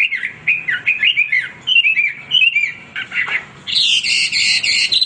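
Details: Hwamei in full, nonstop song: loud, varied whistled phrases with rising and falling slurs, then a rapid buzzy, scratchy rattle of high notes in the last second or so.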